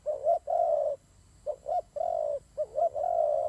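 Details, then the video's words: Fighting turtle doves giving hoarse coos, long smooth notes broken by short bouncing double notes, repeated without pause; faint steady hum underneath. "God dove Fighting"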